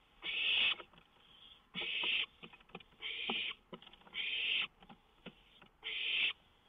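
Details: Night-time owl on a lookout, 19 May 2013, close to a songbird. Five strong rasping hisses come at uneven intervals, with small clicks and scrapes heard between them.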